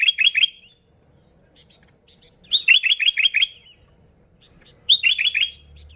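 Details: Sooty-headed bulbul singing energetically in a pure lure recording for attracting bulbuls: three bursts of four or five quick bubbly, downslurred notes, roughly two and a half seconds apart, with quiet gaps between.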